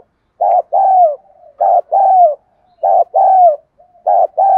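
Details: Spotted dove decoy bird calling to lure wild doves, in the đồng gù đấu thúc style: paired low coos, a short note then a longer falling one, repeated steadily about every 1.2 seconds in a quiet setting.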